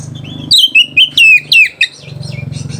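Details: Oriental magpie-robin song used as a lure to provoke rivals and arouse mating: a rapid burst of loud, sharp whistled notes sliding up and down, over a low steady hum.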